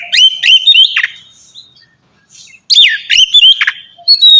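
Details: Ngeplong song from an Oriental magpie-robin for training captive birds: two bursts of sharp, downward-swooping whistled notes separated by a quiet gap, ending on a high clear whistle.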